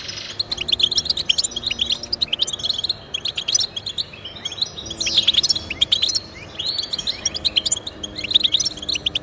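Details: European goldfinch song meant to encourage pet goldfinches to sing: rapid twittering phrases of bright chirps and short buzzy trills, broken by brief pauses, with faint low steady tones underneath.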